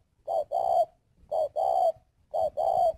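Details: Decoy spotted dove, held at a bird farm in Ba Vì, Hanoi, Vietnam, calling loudly and cleanly: three paired coos, a short hoot followed by a longer one that rises slightly at its end, repeated roughly every second.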